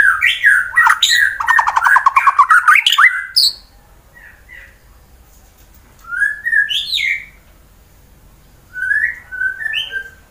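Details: Fighter white-rumped shama from Wonosobo, Central Java, Indonesia, used to provoke rival birds: a dense run of rapid trilled and chattering notes, then quieter gaps broken by short clear whistled phrases.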